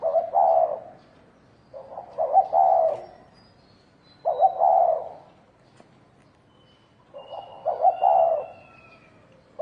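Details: Fighting spotted dove repeating deep, muffled cooing phrases about every two seconds, each opening with quick stuttered notes and ending in a drawn-out coo, with thin distant whistles behind.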